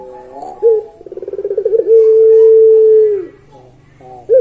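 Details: Barbary dove of the pelung type delivering its long song: a stuttering, accelerating run of soft pulses leads into one level, sustained, mellow hoot lasting over a second.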